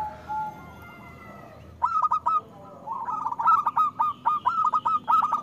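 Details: Zebra dove, a local bird with a loud voice, singing to prompt reluctant doves: after faint tones, long runs of fast, evenly pulsed cooing notes, about three and a half per second, fill the second half.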